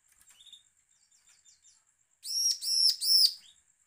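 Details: Bar-winged prinia; call; threatening call used to provoke other prinias to sing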